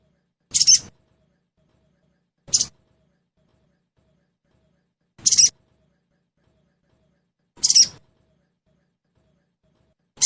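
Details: Trotol-style crested jay (sogon) lure: five short, grating, high bursts at intervals of about two to three seconds, with nothing else audible.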